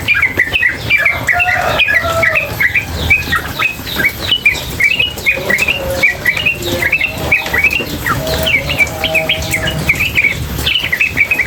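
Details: Female sooty-headed bulbul with water sounds: busy, near-continuous bright chirping in quick runs, scattered lower whistled notes, water rushing softly beneath.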